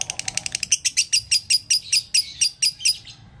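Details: Lovebird in full konslet song, meant for training other lovebirds: a fast stutter of thin chirps that slows into evenly spaced, louder ringing notes, about four per second, before fading.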